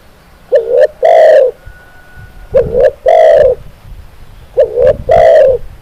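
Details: Spotted dove cooing steadily, recorded as a model to get other doves calling: three phrases, each two clipped rising notes and a long hoarse coo, about every two seconds.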